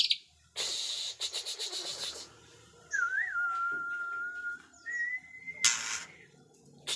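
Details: Pastol-type white-rumped shama singing dense, fierce material: harsh chattering bursts, then a long smooth level whistle with a brief warble, a second rising whistle and a final loud rasp.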